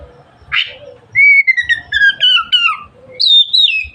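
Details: Oriental magpie-robin singing in the lively 'gacor' style, used to stimulate other magpie-robins to spread their tails: a long clear whistle, then a string of descending slurred whistled notes, and a high rising phrase at the end, after a short rasping note.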